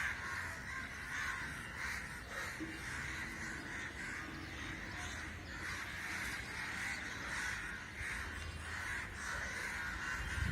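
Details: A big gathering of crows, seen as an unexplained and unusual assembly, fills the air with continuous, overlapping hoarse caws from many birds at once, over a steady low rumble.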